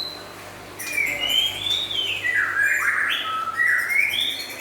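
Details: White-rumped shama, local and imported forest birds, delivering a clear whistled song of long smooth notes that rise, dip and rise again, ending in bright ascending whistles.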